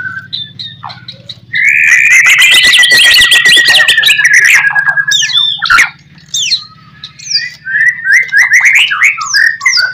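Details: White-rumped shama master song for making other shamas reply: a long loud stretch of buzzy chattering over a held whistle, then scattered rising and falling whistled notes, with a steady low hum behind.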